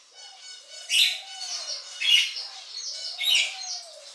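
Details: Pet rainbow lorikeets in a home mimicking the owner's pet phrases while breaking up fights: loud shrill screeching bursts about once a second, with a soft low coo running underneath.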